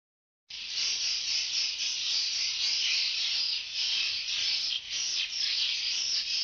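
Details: Swiftlets heading out early in the morning to forage: after a moment of silence, a dense, continuous wash of high twittering chirps begins and runs unbroken with slight pulsing, with occasional faint clicks above.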